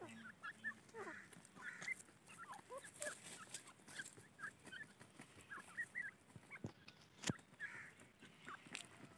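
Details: Grey francolin chicks raised on a farm give short, soft chirps, often slurred or upturned, scattered irregularly through the recording and overlapping from several birds, with clicks and rustling handling noises between them.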